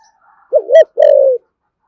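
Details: Spotted dove of the deep 'thổ sấm' voice type, giving 'thúc gù' urging coos and calling coos: a single low phrase, a short wavering double note, then a longer steady hoarse coo falling slightly at the end.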